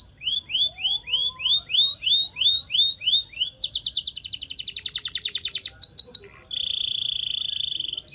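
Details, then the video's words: Canary song for stimulating caged canaries to sing: evenly spaced upswept whistles, then a dense rapid trill, a short burst of quick notes, and a steady fast buzzy roll. "The Ultimate Sound to Make Any Canary Sing Unstoppable!"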